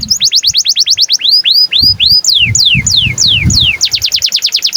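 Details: Breeding-condition canary singing as a tutor for young canaries: quick runs of falling high notes, then slower arched swoops and long downward slurs, returning to a fast trill, with faint low background noise.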